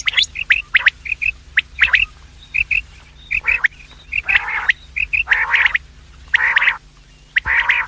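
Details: Quail calls of the sort used to lure quails, morning and evening: short clipped high notes in quick pairs and triplets, broken by several harsh, rasping bursts about half a second long, with little background noise.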